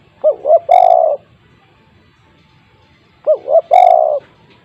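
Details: Spotted dove with a big voice, kept as a lure, gives two identical phrases about three seconds apart, each two brief hooting notes then one drawn-out mellow coo.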